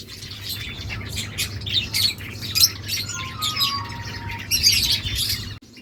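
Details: Budgies talking to each other in continuous high, scratchy chatter with short chirps and a few clear whistled notes, over a constant low background hum.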